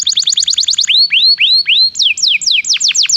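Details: Canary singing as a lure for other canaries: a very fast high trill, then slower upswept whistles, then steeply falling notes in quick succession.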